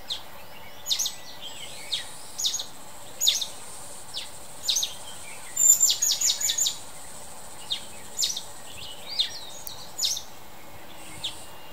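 Mountain Bulbul giving short, sharp, high chipping notes at irregular intervals, with a quick chattering burst midway, over a steady background hiss.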